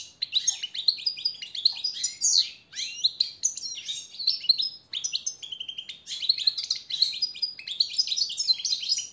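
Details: Motivating tutor song of a European goldfinch for captive birds, nearly unbroken rapid twittering with tinkling trills, sweeping notes and brief buzzy elements throughout.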